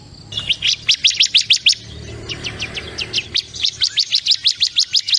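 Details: High, rapidly repeated chirping of a bar-winged prinia (ciblek kristal) in three bursts, the middle burst softer, with faint background hiss.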